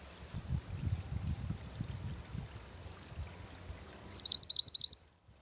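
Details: After several seconds of faint low rumbling, a mantenan gunung bird, recorded as a training master and lure, gives a brisk run of about six high, upward-sweeping whistled notes.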